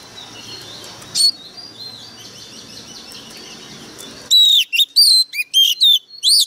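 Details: Lure White-rumped shama singing fiercely: faint, distant warbling with a low hum, then a sudden close run of loud, sharp, sweeping whistled notes delivered in quick bursts.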